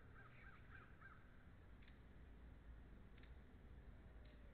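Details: Wild bald eagle of a nesting pair at the NCTC, February 13, 2013: a quick run of high, thin chirping notes in the first second, then a few short sharp ticks, over steady low rumbling background noise.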